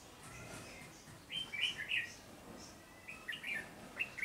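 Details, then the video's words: A wild-caught red-whiskered bulbul in captivity singing briskly: two quick warbled phrases a couple of seconds apart, each a tight cluster of bright chirps, followed by a short note. "Chào mào bổi siêng cầu tốc độ"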